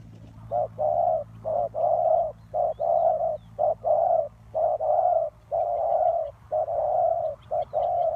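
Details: Lure spotted dove kept for ground trapping, cooing steadily: low hollow phrases of a clipped note followed by a longer drawn-out coo, repeated about once a second with brief pauses, against faint low hum.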